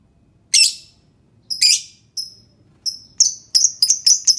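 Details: Lovebird chirping, used to prompt a silent lovebird to sing: sharp, clipped high chirps that start about a second apart and then speed up into a quick series of twittering notes.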